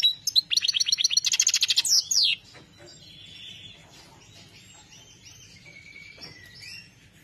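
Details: European goldfinch of the Saira joker type singing: a dense burst of fast, buzzy, metallic trills, then softer, thinner twitters and a few faint whistles.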